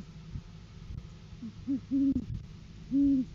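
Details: Great horned owl in courting season, January 7, 2023, filmed by a live camera as the male brings food to the female: a few soft notes, then three strong, deep, drawn-out hoots.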